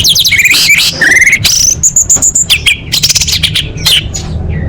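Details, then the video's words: Energetic orange-headed thrush singing a tutor song: a dense stream of varied whistles, high thin notes and rapid scratchy trills, fast and irregular, over a faint low rumble. "Rahasia Masteran ANIS MERAH Super Joss!"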